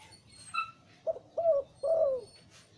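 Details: Zebra dove, a liu tan breeding male with a deep voice, delivering a short low note, a rolled coo, and a longer falling coo, preceded by a faint high chirp from another bird.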